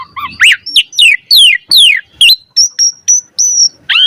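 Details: Black-collared starling singing mimicked phrases to set other starlings singing: a series of loud downslurred whistles about every quarter second, then thinner high, level whistled notes and a final harsh note.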